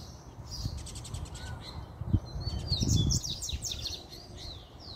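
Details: Excited male double-collared seedeater singing a puxada: fast runs of high clipped notes and downward-sweeping buzzy phrases, with thumping low knocks and rumbling noise underneath.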